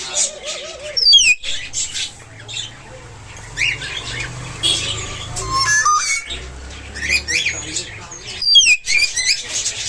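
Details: A pet talking myna gives harsh squawks, sharp falling whistles and chattering, speech-like phrases in bursts, with a low hum and some room noise underneath.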